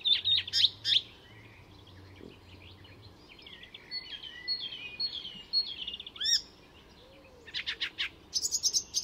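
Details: Swedish Icterine Warbler in full mimicking song at Fysingen: high twittering notes, thin drawn-out whistles, a rising slurred squeak, then a dense final burst of piercing chirps.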